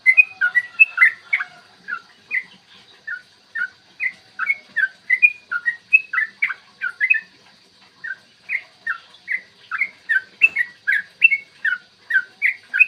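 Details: Extended morning 'ropel' song of a yellow-vented bulbul, used to provoke other bulbuls to sing and fight. A long, rhythmic stream of short bubbly whistles goes on with only brief pauses, warbling between lower and higher notes.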